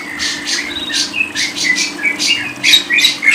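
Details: A lovebird chattering in quick bursts of shrill, buzzy notes mixed with short sharp whistles, about one to two phrases a second, with a faint low hum behind.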